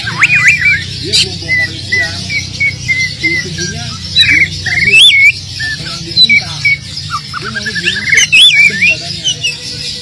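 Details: Oriental magpie-robin in full song packed with mimicked fill-ins, loud and persistent, meant to prompt silent magpie-robins to sing: varied whistled and chattering phrases, some sliding up and down, with a steady low hum and faint voices behind.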